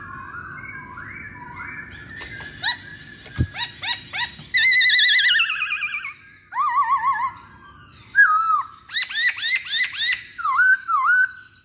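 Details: Masked laughingthrush song with varied phrases: wavering warbled notes, rapid trills, sharp clicking bursts and looping whistled figures that rise and fall, delivered in quick bouts with short pauses, in a small quiet room.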